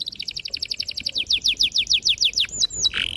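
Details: Canary in full, long song, used as a lure recording to stimulate young canaries to learn singing. A rapid series of about twenty high, sharp, down-slurred notes speeds up, then ends with two whistled upward slides and a buzzy burst.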